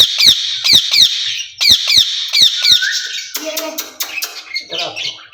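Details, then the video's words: Two ring-necked parakeets in a cage calling back and forth: bursts of shrill, grating squawks in quick series, then quieter chattering notes and a brief whistle. "Speaking Parrots in Cage"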